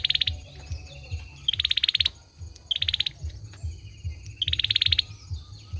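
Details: Male olive-backed sunbird singing four rapid high-pitched trills of quick repeated pulses, some led by a short clear note, at irregular intervals of one to two seconds. Faint thin whistles and low background rumble are also present.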